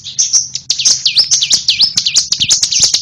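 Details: Bar-winged prinia giving a fast series of high, sweeping notes that dip down and rise again, repeated several times a second in a steady, lively run.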